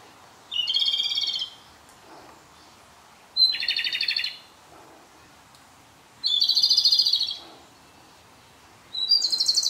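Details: Japanese robin singing at close range in a dark spot on its last day of a six-day stay at a local field site; loud trilled phrases about a second long, opening with a high note, repeated every few seconds, quiet between.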